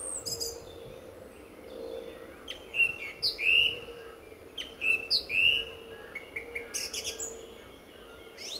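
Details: Singing song thrush at RSPB Fowlmere, February 2014, sun about to rise; loud whistled phrases repeated in pairs, separated by squeaky high flourishes and brief pauses, other thrushes singing around the reserve.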